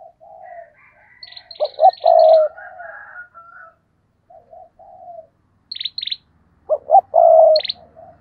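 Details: Spotted dove kept as a decoy bird, giving loud cooing phrases: two short clipped notes, then a long throaty coo, followed by softer trailing coos. Short high chirps from another bird come in between.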